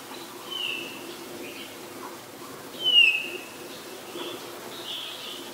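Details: Black-collared starling (Black-collared myna) recorded in Ubon Ratchathani, Thailand, on 25 December 2019: a few scattered high whistled notes, one sharp descending whistle near the middle, over a faint hiss background.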